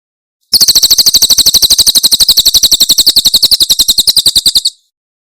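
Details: Cililin-type Javan prinia song used to tutor songbirds: one four-second run of fast, sharp, high-pitched repeated notes, steady in pitch and loudness, starting and stopping abruptly against silence.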